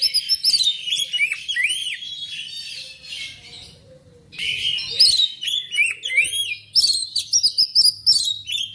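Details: Black magpie-robin (kacer) singing a rich, varied song of clear whistles, sweeping upslurs and chattering phrases, in two bursts with a brief quieter pause in the middle; used to stimulate pet kacer to sing.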